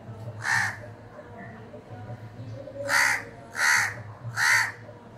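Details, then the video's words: Crow calling at the window of a house: four harsh, broad caws, one early and three in a quick run near the end, each about a third of a second, over a low steady hum. "CROW CALLING ON WINDOW"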